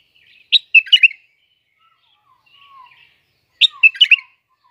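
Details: Bulbul from Iraq giving two lively phrases of quick, bubbly whistled notes about three seconds apart, with soft low whistles between them.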